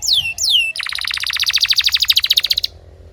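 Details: Canary song for coaching other canaries: two long falling whistled slurs, then a fast pulsing rattle-like trill of about twenty rapid notes that stops abruptly.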